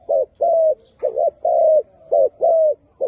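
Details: Spotted dove singing: a quick series of low, mellow coos, about seven short notes in three seconds, some with a rising-then-falling shape and others held flat, with brief gaps between them.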